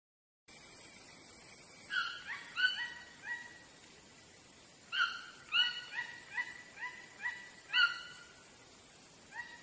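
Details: Chachalacas calling in loose bursts of short, harsh, harmonic notes, several overlapping birds answering one another, with a louder cluster near the start and another later, over a steady high-pitched whine in the background.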